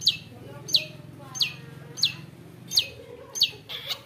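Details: Long-tailed shrike caught young from the forest, singing aggressively when provoked: a series of sharp, high descending chip notes spaced roughly every two-thirds of a second over a low humming background.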